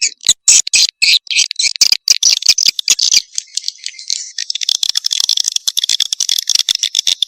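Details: Swiftlet lure call played to attract swiftlets: dense rapid clicking and buzzy chattering twitters, high-pitched and continuous, with sharp ticks throughout.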